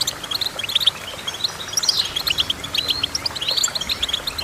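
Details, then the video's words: Goldfinch song: quick high chirps and twitters with one sweeping buzzy slur in the middle. The chirps are repeated in rapid, irregular bursts against soft background hiss. "Goldfinch Chirping"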